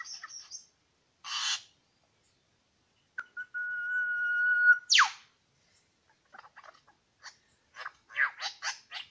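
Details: Two male Superb Lyrebirds at Lookout Point, New England National Park: a buzzy burst, a long level whistle ending in a loud downward rush, then quiet rapid chips and whistles.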